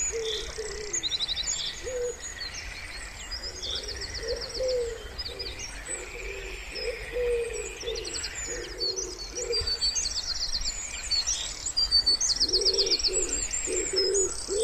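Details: Wood pigeon near a quiet pond in spring, giving a long series of low, muffled coos in steady phrases, while songbirds add rapid high-pitched trills and chirps over faint background hum.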